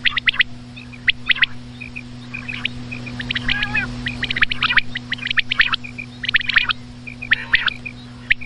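Common quail giving sharp, liquid notes in quick clusters of two or three, repeated about once a second, over a steady low electrical hum.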